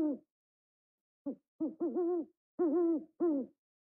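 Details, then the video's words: Owl calls: one hoot fades at the very start, then after a second of silence come five more, short at first and then longer and wavering. They are deep and resonant, with nothing else audible. "The most interesting sounds of familiar animals are ducklings, owl"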